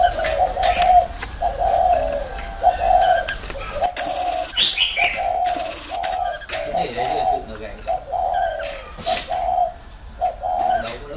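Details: Caged spotted dove used as a decoy bird in a round cage at Ba Vì, Vietnam, giving low hollow coos in short repeated phrases about a second apart, with a few brief higher chirps and some faint background sounds.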